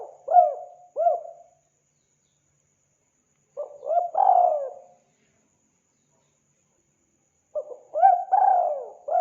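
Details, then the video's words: Spotted dove calling vigorously, kept as a lure for hunting: three bursts of soft, mellow cooing notes, each a short phrase of rising-falling hoots, spaced about four seconds apart with silence between. "Suara burung tekukur gacor"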